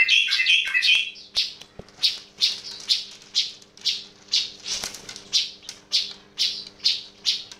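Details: A yellow-vented bulbul's unusual sound opens with a brief burst of bubbly warbling, then turns into dry rattling chirps repeated about twice a second.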